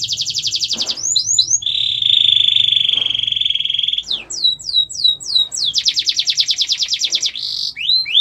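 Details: Canary song used to prompt and train other birds to sing: fast buzzy trills, a long steady rolling tour, rapid swooping whistles, then another dense trill, over faint low hum.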